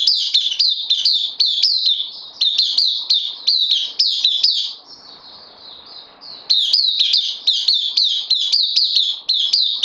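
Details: Newcomer bulbul on loan, kept caged, 12 September 2020: long volleys of sharp, high, downward-gliding chirps, several per second, separated by a short stretch of quieter thin notes.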